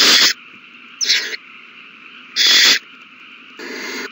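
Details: Owl chicks taking a meal at the nest, 27 March 2020; four separate raspy hissing bursts spaced over about a second each, with a faint electrical drone between.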